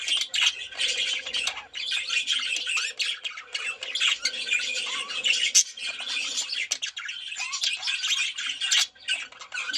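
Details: Several budgerigars singing together in a mating context, a steady busy mix of warbled notes, harsh squawks and rapid clicking chatter with no pauses.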